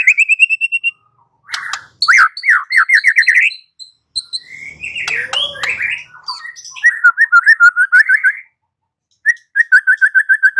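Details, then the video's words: Shama lure song for making a white-rumped shama answer: a fast level trill, then rising upslurred whistles in rapid series, a varied warbled passage, and repeated clear whistled notes in quick bursts. "Pancingan Murai batu 85% Jitu jadikan Murai batu NYAUT NGEPLONG"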